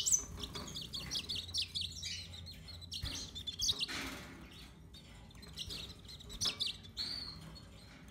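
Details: Yellow-fronted canary singing a busy run of high twittering notes and quick rising and falling chirps, broken by short pauses, with a faint low hum underneath.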